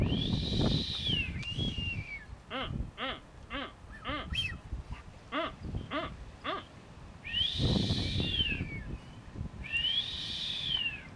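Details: Blue-footed booby on North Seymour Island, Galapagos, April 2014, giving a run of short, reedy whistles, about four a second, between long arched whistled calls that rise then fall, around its dance; wind and voices murmur behind.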